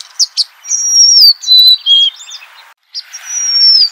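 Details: Golden-crowned sparrow giving loud, high whistled phrases that glide downward, mixed with quick chirps and twitters from other birds close by.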